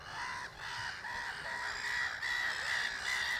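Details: A seagull in the coastal town of Dragør near Copenhagen, Denmark, gives a run of loud, yelping, screaming calls, each clipped note repeated quickly; the gulls then chase one another off.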